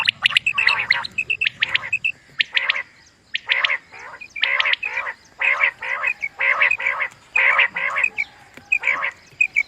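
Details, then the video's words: Common quail, sound meant for quail hunting: repeated grating buzzy notes paired with short high whistles and crisp clicks, steady series at roughly one per second, faint low rumble at the start. "Common Quail Sound | For Quail Birds Hunting | Batair Ky Shikar ky Liye Batair Ki Awaz"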